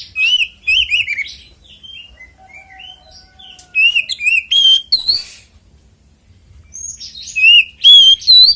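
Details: Fighting song of an Oriental magpie-robin, the ngeplong tarung style used to provoke other magpie-robins into song: loud bursts of ringing whistles and harsh buzzy notes, broken by a quieter stretch of soft warbles, over a clean background.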